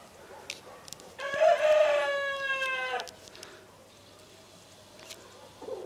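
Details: Black-blue mottled Leghorn rooster giving a single drawn-out crow of nearly two seconds, harsh and harmonically rich, holding steady then tailing off, with quiet background noise afterwards.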